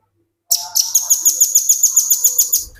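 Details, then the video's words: Velvet-fronted nuthatch, a tutor recording for training other birds, in ngebren singing: an unbroken trill of very high, metallic notes repeated several times a second for over two seconds, loud and clean. "Burung Rambatan Paruh Merah ngebren"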